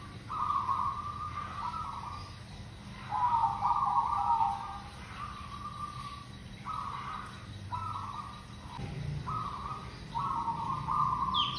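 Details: Local zebra dove (perkutut) lure song: a long series of rough, trilled coo phrases at one pitch, short and long, repeated every second or so, over hiss and occasional low thumps.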